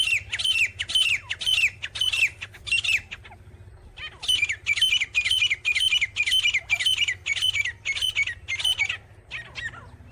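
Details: Grey francolin, called teetar, delivering a loud rhythmic series of rasping squawks about twice a second. After a short pause near the third second, a long, steady run of identical harsh notes follows, with faint low hum beneath.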